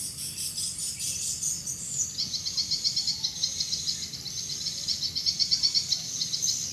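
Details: Swiftlets active in the evening before entering a bird house: fast, high, thin chittering notes repeated in quick pulses that grow louder, with a steady low background hum.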